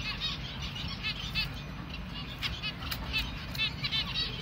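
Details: Young finch chick during hand feeding, calling in bright, high, stuttering chirps clustered in short bursts, with a soft constant hum behind.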